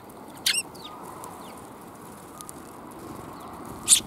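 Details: Sparrows arriving to receive food on 5 December 2021 give a quick bright chirp early on, then a few faint high notes, and a louder sharp chirp at the end against quiet background noise.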